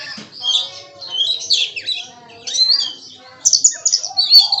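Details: Oriental magpie-robin, locally kacer, singing a song loaded with imitations, other birds also audible. Warbled, slurred phrases rise and fall in three bursts, followed by a sharp, high, chattering run.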